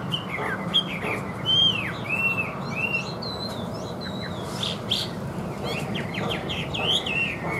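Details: Caged Chinese hwamei kept for sale, praised for singing well with an even voice: short clear whistled phrases, some sliding up, others dropping, separated by brief pauses over a steady low hum.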